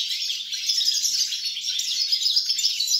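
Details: European goldfinch singing, recorded 29 December 2022: an unbroken stream of rapid, high, twittering and jingling notes, with a faint low hum underneath.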